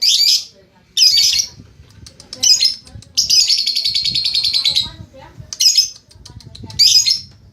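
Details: Ngekek from a lovebird: several harsh, scratchy high bursts spaced irregularly, with one longer rapid pulsed trill of about two seconds in the middle.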